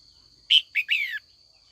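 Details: In an afternoon training session, a female red-whiskered bulbul calls to stir old wild-caught males into song-fighting. She gives three quick parts: a sharp chirp, a short note, then a falling, rippling phrase. A constant thin high tone runs beneath.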